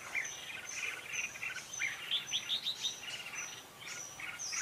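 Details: Red-whiskered bulbul fighting song, used as lure audio for trapping and coaxing caged birds to sing: a string of bright warbled chirps, with a steady high insect-like whine repeating in the background.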